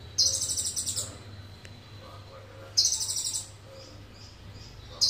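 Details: Sunbird song filled with cililin phrases: very high, buzzy twittering bursts about a second long, repeated roughly every two and a half seconds, with a low steady hum beneath.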